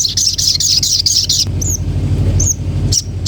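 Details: Common iora giving a fast, high, rattling trill for about a second and a half, then a few separate thin whistled chirps, over a continuous low hum.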